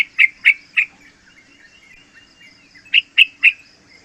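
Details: Young yellow-vented bulbul, about three months old, singing as a lure and training model for other bulbuls: two groups of three bright, clipped chirps separated by a quiet gap.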